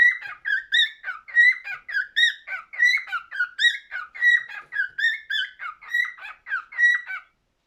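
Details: Warbling cockatiel song of repeated whistled notes, sliding up and down, in regular bursts about twice a second, ending abruptly in silence.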